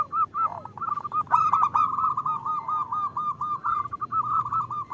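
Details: Female zebra dove calling the male, a call used to lure local males into singing; a rapid run of trilled, purring coos held at one low pitch for nearly five seconds, with a few brighter, harsher notes near the start.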